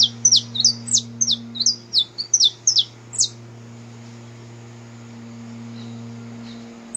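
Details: Saffron finch singing in the wild, a song used to warm up a canary: a quick burst of about a dozen high, sharp down-slurred chirps over three seconds, then near silence with a steady low hum.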